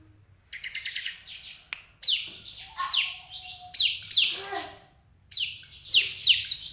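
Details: Caged bar-winged prinia kept in a daily cage for breeding, giving bright chirping phrases of sharp descending buzzy notes in quick bursts, with short pauses between groups and faint low background hum.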